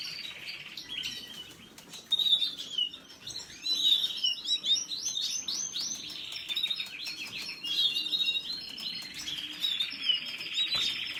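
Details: Canary song of rapid twittering phrases and sharp whistled notes, rising and falling, with scattered clicks and rustling between bursts.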